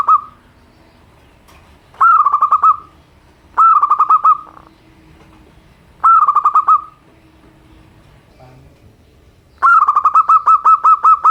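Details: Local zebra dove with a simple voice, played to prompt reluctant birds to sing: five rolled, trilling coo phrases spaced about two seconds apart, the last longest and steadily pulsed.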